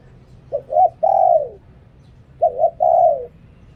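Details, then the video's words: Decoy dove's lui-tan style song: a clipped double hoot followed by a drawn-out, falling coo, the three-part phrase repeated twice against a soft, low background murmur. "หลิ่วตัน เสียงต่อนกเขาเสียงชัด"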